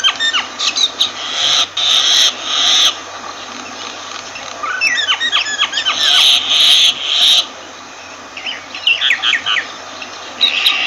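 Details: Myna giving a mix of harsh, hissing rasps and quick slurred whistles, harsh bursts separated by short gaps, with a cluster of falling chirps in the middle and more near the end.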